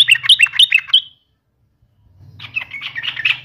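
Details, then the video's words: Yellow-vented bulbul challenging a rival with persistent song: a string of five quick, rising, bubbly whistles, then silence, then a softer rambling chatter over a low hum. "trucukan gacor TARUNG MELEDEK LAWAN"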